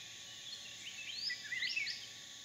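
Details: Hair-crested drongo at a small waterhole in a dry stream bed during the dry season, Phnom Prich Wildlife Sanctuary, Mondulkiri, Cambodia: a quick run of sharp, metallic, up-and-down twanging notes over a steady insect hiss.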